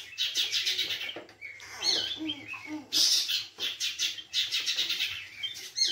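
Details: A pet shrike sings a busy, varied song of harsh scratchy chatter bursts mixed with brief whistled notes, in quick runs with short pauses.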